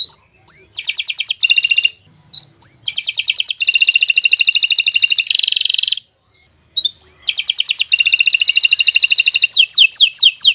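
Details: Long canary song meant as training for other birds, made of several extended buzzy trill phrases separated by short pauses, ending with quick descending notes.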